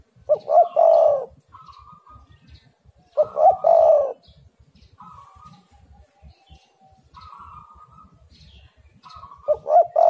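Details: Lure recording of a spotted dove: low, mellow cooing phrases of two quick notes and a drawn-out final coo, repeated roughly every three seconds. Thin, higher steady whistles between phrases over faint background rumble.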